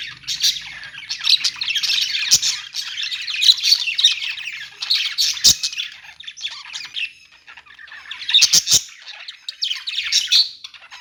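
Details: Budgerigars chirping in a pet store, several birds at once: dense, continuous chatter of squawks and warbled chirps, with short pauses near seven and eleven seconds and a few sharp clicks.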